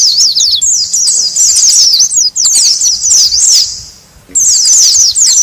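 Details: Noisy Oriental white-eyes, a lure for wild birds: shrill zigzagging chips in fast runs over a steady high whine. Near the end the chips fade into a quiet gap, then return with a final burst.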